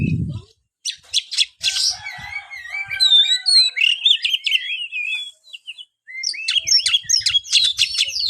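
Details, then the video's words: Oriental magpie-robin (kacer), played to get lazy kacer singing, producing a flowing string of wavy whistles and trills through the middle, framed by harsh clicking bursts, with a short silent gap before a final burst of scratchy chatter. "buat burung Kacer anda yang malas bunyi"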